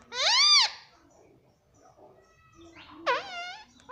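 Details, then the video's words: Pet ring-necked parrot kept indoors and known for talking: a loud, clear, arched harmonic call, then quiet room noise, then a second sharp call that drops and rises. "parrot talking"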